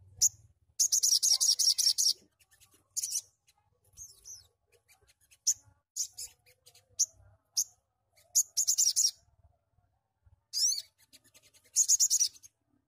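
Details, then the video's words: Crimson sunbird giving high, sharp, buzzy rattling trills in bursts of about a second, with brief thin chirps between; a fast, lively call. "TEMBAKAN SOGON GACOR"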